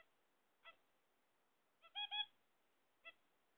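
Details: A pet zebra finch, with eggs awaited, giving nasal, toy-trumpet-like beeps: a single honk, a quick burst of three or four, then another single note.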